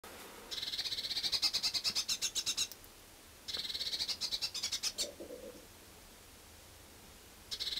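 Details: Blue tit at a winter feeding and drinking station in Budapest-Csillebérc, Hungary, on 1 January 2011, giving harsh, buzzy churring bursts, each about two seconds of rapid rattling notes, repeated after short pauses.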